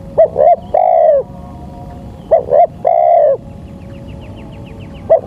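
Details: Local spotted dove on a lure recording: two phrases of short paired coos ending in a long hollow coo, followed by a faint rapid series of high chirps and another brief coo.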